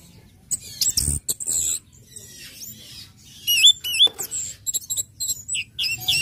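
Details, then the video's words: Orange-headed thrush singing to provoke other birds to sing: high bright varied phrases with looping whistles, rapid chips and bursts of buzzy notes, plus a short low thump early on. "SUARA ANIS MERAH NGECIP NGECIT NGEPLONG PEMANCING BIRAHI AGAR IKUT BUNYI"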